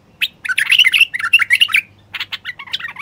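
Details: Male bulbul song used to encourage silent wild bulbuls and females toward singing, mating and nest building; a loud, dense run of fluty warbled notes for over a second, then a pause and choppier chirping phrases.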